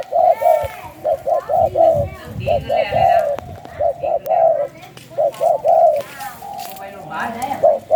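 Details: Spotted dove of the Thai 'sai khu ang' song style, kept in captivity, giving rapid runs of short, mid-pitched coos grouped in twos and threes while a man speaks in the background.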